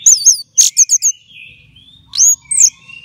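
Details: Caged orange-headed thrush kept for songbird contests, singing in full flow: sharp high whistled notes and rapid falling chirps, a pause, then softer trills and more clear upslurred whistles.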